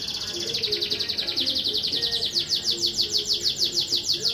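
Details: Singing domestic canary at a competition in Juiz de Fora, Brazil: a sustained high trill pulsing evenly, coarsening into distinct repeated chirps about four per second, with low hum behind.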